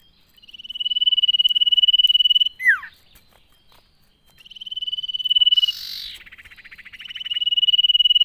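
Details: Common iora song meant to get other ioras at home singing: long high trills and a quick falling whistle, plus a short burst of harsher, lower buzzy notes near the end.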